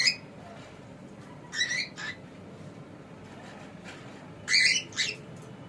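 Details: A pet cockatiel makes brief harsh squawking calls in separated bursts: a sharp note at the start, a pair in the middle and a louder pair near the end, with quiet gaps between.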